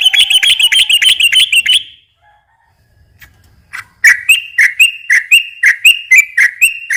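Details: A sooty-headed bulbul sings to attract other bulbuls. A fast, high trill gives way after a short silence to a slower series of separate, bouncing whistled notes.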